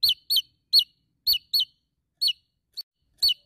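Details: Javan tesia challenging a rival with quick, piercing, high chips that bend downward, given in ones and pairs with short gaps.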